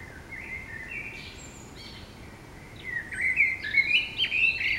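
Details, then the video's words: Morning birdsong at waking, in a city where blackbirds are mentioned: soft whistled phrases at first, then a louder run of quick, varied twittering warbles, over light background hiss. "Chant d'oiseaux le matin au réveil"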